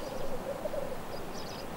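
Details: Male black grouse displaying in spring in the high mountains of the Tre Cime Nature Park, Dolomites, tail raised like a fan; a soft, low bubbling warble runs continuously, with faint higher notes near the end.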